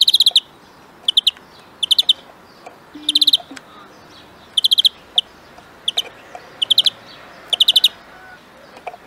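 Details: European greenfinch, trained for song, giving short bursts of rapid buzzy trilled notes, each burst of several clicks repeated roughly every second, with faint background bird chirps.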